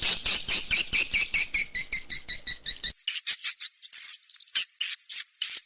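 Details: SP. KADITA swiftlet lure call, used by swiftlet farmers to attract birds to nest houses: rapid high chirps with a lower second band for three seconds, then sharper, more scattered twittering notes.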